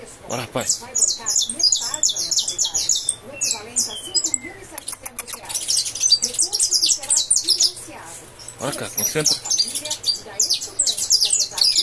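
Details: Breeder's saffron finch (canário da terra) delivering fibra song: fast, piercing high chirp sequences broken by pauses and a few lower whistled notes, over clicks and faint background noise.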